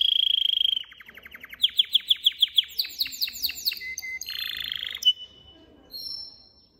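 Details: ['Caged male canary, excited, singing to stimulate a female to mate: a rich sequence of fast tours, from a steady whistled note through rapid downslurred chips, rising arched trills and a buzzy rattle, ending with a short high whistle.']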